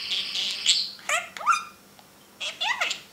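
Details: Parrot in a cage giving a buzzy high warble, then several sliding, speech-like notes that rise and fall, with short pauses between.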